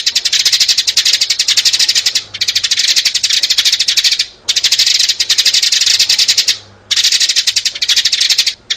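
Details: Sparrows, adults and young, in a recording used as a trapping lure: a dense, dry, rattling chatter of rapid high notes, running in long bursts broken by short gaps.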